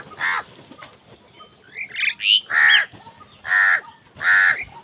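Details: Angry crows fighting for food, calling naturally: a short harsh caw, a few squeaky notes, then three loud, rasping caws spaced under a second apart against a quiet background.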